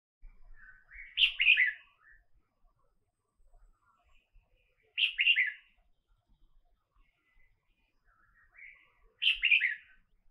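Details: A red-whiskered bulbul in Cambodia gives three bright, bubbly phrases, each a quick cluster of warbled notes, spaced about four seconds apart against a quiet background.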